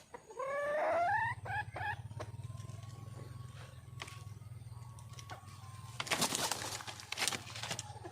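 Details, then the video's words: Wild red junglefowl hen calling for a male: a few rising, harmonic, nasal calls in quick succession early on, then quieter notes over a steady low hum. A burst of broadband noise comes near the end. "le bruit d'une poule sauvage,เสียงไก่ป่าร้องหาถู่หาตัวผู้,ສຽງໄກ່ປ່າຮ້ອງຫາຄູ່ຮັກ, poj qaib qus see"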